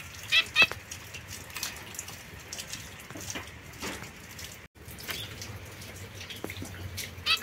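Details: Young pair of caged zebra finches, a white female and a mosaic male isolated from others, September 2024: a quick double nasal beep early, another beep at the end, soft clicks and rustles between.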